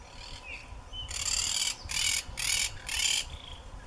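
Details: Macaws calling in the wild in Brazil's Pantanal and Amazon, 2016-2017: four raucous, grating squawks in close succession, each about half a second long, preceded by faint thin whistles.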